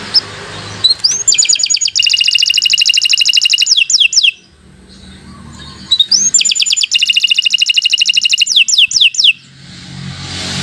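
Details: Canary in full long song for teaching beginner birds: two phrases each opening with a rising whistle, then a dense rapid trill of bright notes ending in descending slurs, separated by a pause with low background hum.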